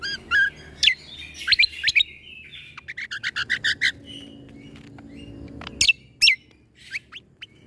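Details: Tutor song of a greater green leafbird for training young white-rumped shamas: clear whistled slurs, then a rapid series of evenly spaced ringing chips, a held thin tone, and sharp piercing downswept notes near the end.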